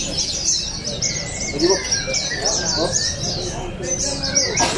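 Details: Contest white-eyes in Balingian, Sarawak, 2023, judged for voice and style: fast, bright chattering trills stacked high and continuous, a thin steady whistle running below, and a soft low coo and voices in the background.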